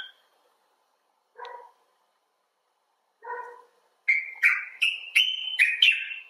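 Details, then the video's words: Common bulbul, from birds cared for at a clinic or filmed outside: two lower, harsher notes spaced apart, then a quick run of bright slurred chirps in the last two seconds. "Bulbul Talk: The Common Bulbul (Pycnonotus barbatus)"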